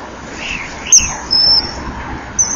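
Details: Common kingfisher at a nesting-wall camera, 15:44 on 15 December 2011, calling while speeding past: three thin, piercing, high whistles, the middle one drawn out, over constant background hiss.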